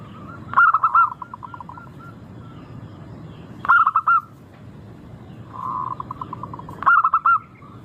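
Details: Singing local zebra dove, a recording meant to set caged birds singing: four clear phrases of quick, ringing coo notes roughly every three seconds, with a gentle rolling trill between two of them.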